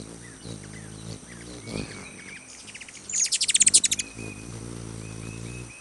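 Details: Ruby-throated Hummingbird in Wisconsin gives a quick, high chattering burst of about eight sharp chips under a second, over a low steady hum and a faint distant bird.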